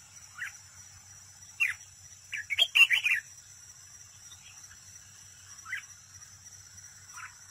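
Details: Red-whiskered bulbul used as a trapping decoy, singing in competition: one loud burst of rapid warbled notes mid-recording, with scattered single chirps before and after, over a constant high hiss.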